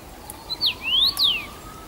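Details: First-summer male Common Rosefinch singing from a favoured branch at Bazel, Belgium, on 7 June 2015: one clear whistled phrase, a short note, then a rising slur and a falling slur, over a faint steady tone.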